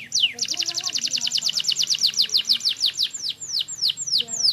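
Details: Canary singing steadily in a semi wiper style: a fast run of bright, even downward-slurred chirps about three per second, opening and closing with longer sweeping whistles that dip sharply in pitch.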